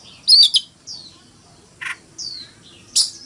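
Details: Oriental magpie-robin decoy giving a fighting song: a few scattered, loud, sharp whistles and falling slurred notes with pauses between, plus one lower, harsher note.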